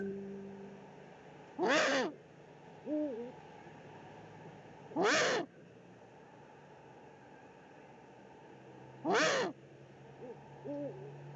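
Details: Eurasian eagle-owls in the Eifel on 13 March 2019, male bringing prey to the female at the nest: three harsh rasping hisses several seconds apart, each followed by a faint, quavering nasal call.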